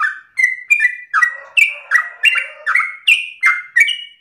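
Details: Lure recording of a sooty-headed bulbul singing ropel style: mellow falling whistles in quick succession, each note sliding down and partly overlapping the next, with a faint lower undertone.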